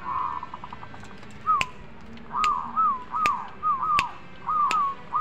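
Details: Zebra dove cooing in full voice: soft, hooked cooing notes in short groups, repeated, with occasional sharp loud clicks over a noisy background.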